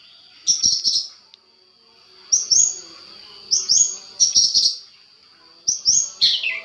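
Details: Long-tailed shrike recording meant to provoke answering birds: short bursts of sharp chattering notes about once a second, separated by pauses, over a thin continuous high tone.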